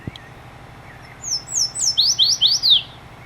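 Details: Virginia's Warbler song in springtime at Bosque del Apache, New Mexico: a few thin, high slurred notes building into a louder run of four or five sweet, down-slurred notes, with a quiet background.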